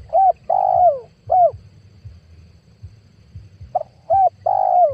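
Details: Lure recording of a spotted dove, made in 2022 for drawing in wild doves to trap: a short coo, a long descending coo, and another short coo, then a pause before the phrase starts again with clipped coos and a long falling note.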